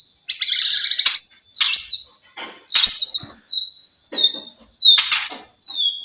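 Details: White-rumped shama song, used to get silent shamas singing again: short bursts of harsh, scratchy notes mixed with clear high whistles that slide downward, repeated roughly every second with brief pauses between phrases.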